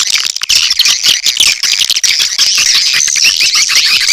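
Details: Swiftlets in a lure call. Harsh, squeaky twitters crowd together in a loud nonstop stream of high chattering notes.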